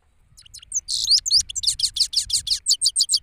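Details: Male European goldfinch singing in an open place in Pakistan, Parachinar: a rapid, high twittering run mixing buzzy slurred notes, ending in a steady series of short chirps at about four per second.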